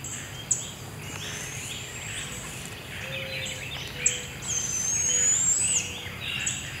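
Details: Barred owl owlet, one of two young moving tree to tree while their mother brings food at 7am, Devil's Den Campground forest; a long, hissing, high screech lasting over a second, with softer rising whistles and chirps from other forest birds.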